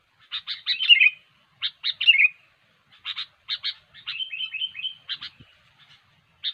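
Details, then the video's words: Gacor sooty-headed bulbul singing to lure wild birds into a trap; clusters of clipped chips alternate with a run of bubbly, wavering whistled notes, broken by short silent gaps. "SUARA BURUNG KUTILANG GACOR YANG SANGAT COCOK UNTUK MEMANCING PIKAT"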